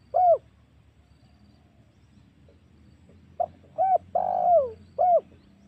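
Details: Spotted dove lure call for drawing in wild doves: a single coo, a pause of about three seconds, then a phrase of a short note, a coo, a long falling coo and a final coo.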